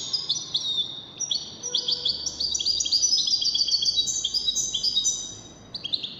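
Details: Near-continuous high, jingling twitter of a European goldfinch competing in a song contest, fast varied chirps and trills running for several seconds over soft background noise.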